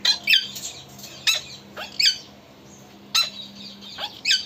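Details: Pet talking parrot in a small room, uttering brief scratchy squawks and squeaky upslurred notes every second or so over a faint background hum.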